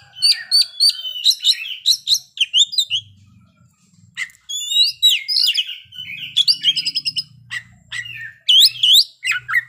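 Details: Oriental magpie-robin performing its complete song with mimicked fill phrases: quick high ticking notes, rising and falling whistles and fast trilled runs, delivered in bursts separated by short pauses, over a soft low rumble.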